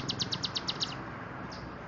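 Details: Bar-winged prinia, called ciblek gunung, singing a short burst of about seven sharp high chips in quick even succession, then falling silent over faint background hiss.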